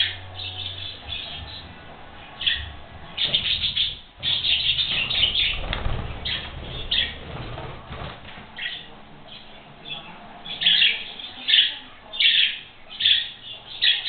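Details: Two young budgerigars, kept about five weeks, chirp and warble playfully in quick, uneven bursts of high, scratchy notes, with a radio and a video of their own voices playing in the background.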